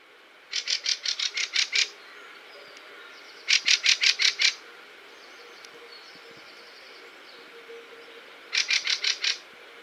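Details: Fieldfares, winter visitors from Scandinavia and Northern Europe, giving their distinctive 'chack chack chacky' call in autumn as a group sweeps onto hawthorn or blackthorn; three bursts of six to seven dry, harsh chacks in quick succession.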